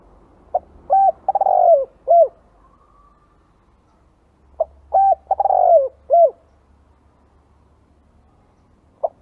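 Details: Spotted dove call used to lure doves. Two matching cooing phrases about four seconds apart, each a short note, a quick double coo, a longer falling coo and a clipped final coo, with a faint low hum between them.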